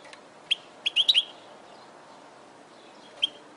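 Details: European goldfinch from a training recording for caged birds, giving a few short, bright, high twittering notes clustered in under a second, then one more isolated chirp after a pause.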